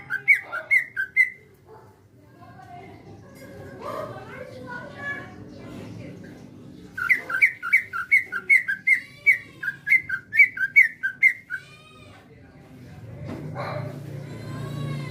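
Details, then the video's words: Greater green leafbird, a kept songbird, in lively natural song: bursts of rapid, sharp, repeated chirping notes separated by quieter mixed sounds, over a low background rumble. "CUCAK ijo GACOR SUARA asli ALAM"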